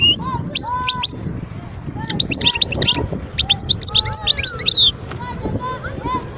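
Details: Wild European goldfinch from Guerbaz near Skikda, Algeria, singing in 2022: rapid, tinkling twittered phrases of high, clipped notes in dense runs, briefly pausing, accompanied by lower drawn-out whistled tones and faint background rumble.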